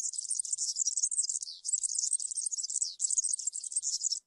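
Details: Campero-style song of a European serin: fast, sibilant, glittering trills run on continuously, with two brief catches near the middle before the jangling resumes. Nothing else is audible.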